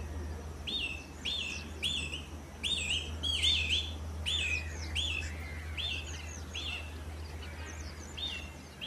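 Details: Canary giving a run of downward-slurred whistled notes, sometimes doubled, roughly every half second, then fading into softer chirps, against a low steady hum.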